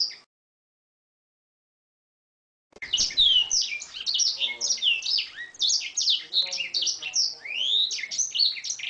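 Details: Training recording of Oriental magpie-robin song. A brief chirp is followed by about two and a half seconds of silence, then a rapid, varied torrent of shrill chirps, rising whistles and scratchy twitters. Faint lower murmuring can be heard underneath.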